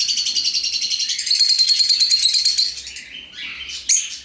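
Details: Lovebirds in an open aviary giving a fast, buzzy, trilled chatter of shrill high notes, about three per second, that stays steady and then breaks into scattered sharp squeaks near the end.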